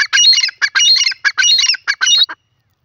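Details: Grey francolin, locally called teetar, giving a loud, harsh, scratchy call in a rapid series of squawking bursts, about seven phrases in under two and a half seconds, each rising into grating high notes, against a silent background.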